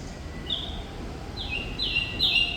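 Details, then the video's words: Thrush nightingale (Sikatan Londo) singing actively, giving a few sustained high whistled notes, the last ones louder and slightly buzzy, over low background noise. "Sikatan Londo Thrush Nightingale Gacor"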